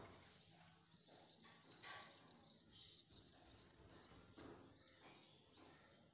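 A pair of budgerigars gives soft, scratchy, high chattering with brief chirps and rattling notes.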